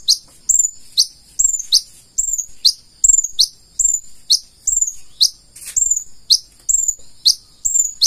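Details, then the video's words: Purple-throated sunbird, konin, in vigorous song: a regular alternation of sharp high chips and thin drawn-out whistles, repeated roughly every half second throughout, with no other sounds. "KONIN GACOR FULL ISIAN"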